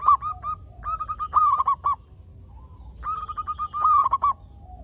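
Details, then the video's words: Zebra dove kept as a decoy to draw answering calls from wild doves: repeated bursts of quick cooing notes with loud warbling phrases, two overlapping series heard together. "Perkutut lokal gacor RAJA PIKAT ini ahlinya bikin semua burung perkutut gacor nyaut"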